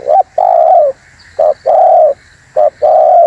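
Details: Spotted dove on a lure recording, singing energetically: short hoots each followed by a long, level, mellow coo, three such phrases in quick succession over light hiss.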